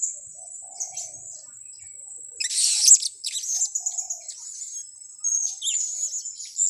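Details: Blue-crowned hanging parrot lure call used for trapping birds: very high thin shrill notes near the top of hearing, a sustained sibilant tone with bursts of rapid buzzy chatter midway and near the end.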